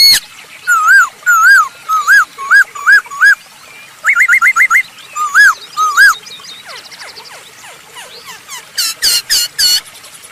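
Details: Masked laughingthrush (poksay hongkong) singing loudly, used as a lure recording: wavering whistled notes in quick runs of five to seven, then a scratchy chatter and a few bright, sharp closing notes.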